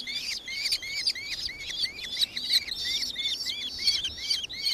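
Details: Nankeen Kestrel recorded in Victoria, Australia, on 4 December 2024: a fast, steady series of shrill, hooked chirping notes, roughly two or three each second, continuing throughout over a faint background hiss.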